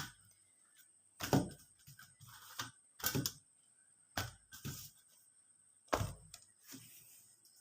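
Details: Broadband clatters and knocks, like dishes or utensils being handled indoors, with a steady high hum and no animal voice.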